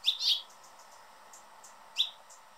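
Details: Noisy male Anna's hummingbird holding his favourite feeder perch, giving two loud, scratchy, high chirps close together, faint ticking in between, then one more sharp chirp near the end.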